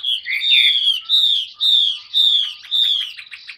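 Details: Clear, loud whistled phrases from a tame caged Chinese hwamei, several drawn-out slightly falling notes repeated about every half second with brief gaps between.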